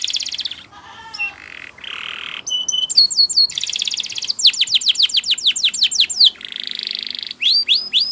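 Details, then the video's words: Training song of a champion Spanish Timbrado canary, changing tours quickly: buzzy notes, a low warbling passage, a rolling tone, then a run of sharp falling sweeps repeated fast, a long steady roll and rising upslurred notes. "Canary Singing CHAMPION for Training / Spanish Timbrado Song"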